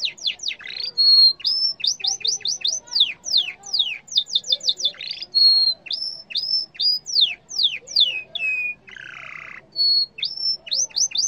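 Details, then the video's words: Yellow canary singing a loud, fast song of rapidly repeated descending sweeps and upward-hooked whistles, with brief sustained notes and a short harsh buzzy burst near the ninth second. "canari jaune chant 💛💛💖/غناء طير الكناري💛💛💖"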